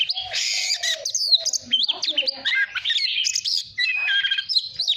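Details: Cage white-rumped shama in voice-training song: loud whistled phrases, rapid slurs and twittering, with a run of evenly repeated stuttered notes in the second half.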